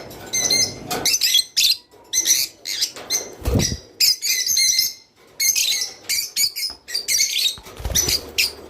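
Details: Java sparrow singing, a sound said to stimulate mating: dense runs of high twittering and chattering notes broken by sharp clicks and short gaps, with a dull knock in the middle.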